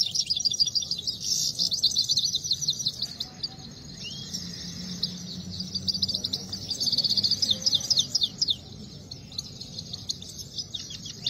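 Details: Saira, the Himalayan goldfinch, in a singing contest, delivering quick repeated chirps in rattling runs, about four notes a second, with a quieter lull midway before fast trills resume.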